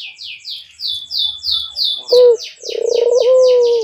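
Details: A white dove in courtship, nodding and in heat, breaks in with a short sharp note and then a long burring coo, after a run of rapid high buzzy chirps from another bird that continues over it.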